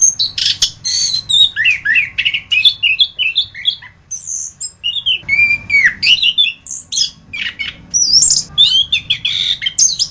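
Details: Anis kembang, orange-headed thrush, masteran tutor song: a fast, varied stream of squeaky whistles, sharp chips and scratchy high notes, with a short pause midway before resuming.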